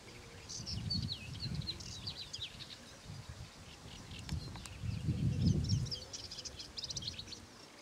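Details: A Paddyfield warbler in Romania on 27 May 2015 sings a fast, jumbled, chattering warble of high scratchy and sweet notes in bursts, over low wind rumble.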